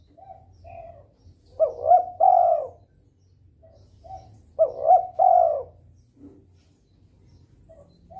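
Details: Spotted dove in breeding mood, calling to draw rivals into calling; two phrases about three seconds apart, soft low coos then a louder triple coo with a lengthened last note.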